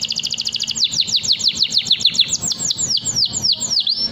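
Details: Long 'nembak' canary song meant for training young birds: a quick high rattling trill gives way to a steady run of sharp descending whistled sweeps, repeated about three times a second, slowing slightly toward the end.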